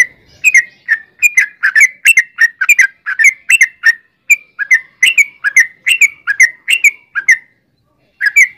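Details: {'caption': 'Sooty-headed bulbul chattering in a lure recording meant to get other bulbuls calling: a long string of sharp, slurred chirps, often paired, bouncing around the same pitch, over a quiet background.'}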